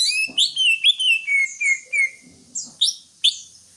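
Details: Song of a greater green leafbird, mixing clear whistled slurs and sweeping phrases with short bright chirps spaced about half a second apart.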